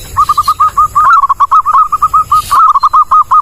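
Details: Local perkutut zebra dove singing a clear, loud song for bird luring: a continuous, rhythmic string of short, bouncing coo notes at a steady pitch across about three seconds.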